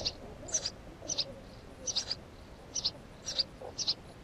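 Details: House sparrow chirping softly, with short high notes in little clusters every half second or so, against a faint background hum.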